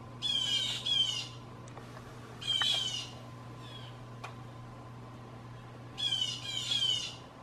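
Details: Blue jays scolding with false alarm calls to scare backyard gray squirrels; paired raspy screams come in three clusters, with a sharp tap and steady low hum between.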